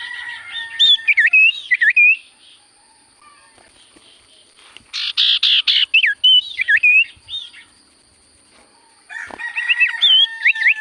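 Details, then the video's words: Sirtu cipoh in full song: three bouts of fast warbled, looping whistles mixed with a buzzy rasp, separated by quiet pauses of about two seconds. "Burung sirtu cipoh gacor suara paling Top cer sirtu cipoh diam langsung nyaut"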